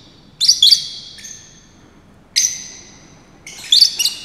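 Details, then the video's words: A Fischer's lovebird, recorded at Saarbrücker Zoo in May 2018 as it sings and dances, gives sharp, high squeaky chirps in three bursts spaced about a second or more apart. "Fischer's lovebird (Agapornis fischeri) is singing a song"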